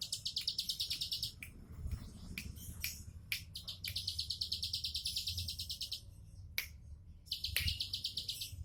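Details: Bar-winged prinia giving a 'tembakan' song: fast, dry, high-pitched trilled bursts, repeated after brief gaps, with a few sharp clicks and faint low background rumble.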